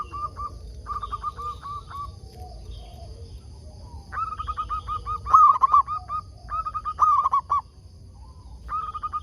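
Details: Local zebra dove singing to draw other doves into replying: soft clipped coo series at first, then louder overlapping coo runs with a strong rolling phrase in the middle, and a fresh series at the end.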